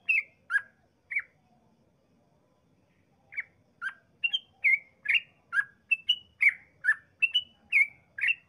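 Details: Chatty yellow-vented bulbul giving long 'ropel' song meant to prompt rival bulbuls to answer. Three slurred whistles, a pause of two seconds, then a quickening run of bright up-and-down notes. Faint low rumble underneath.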